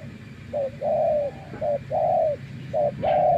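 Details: Spotted dove used as a decoy in bird trapping, being tamed after many days living in the wild: three paired coos, each a short clipped note followed by a longer, slightly falling drawn-out coo, about one pair per second.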